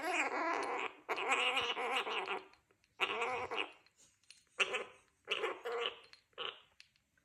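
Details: Young male Gang-gang Cockatoo, three and a half months old, kept as a pet in Australia, chattering while drinking water after an afternoon of flight training: harsh, buzzy, raspy bursts in bouts of about a second, with short pauses between.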